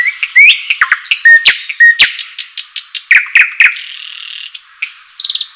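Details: Song of a White-rumped shama, used to tutor and excite other birds: a dense medley of whistles, sharp ticks and scratchy notes, then a short rapid chattering run at the end.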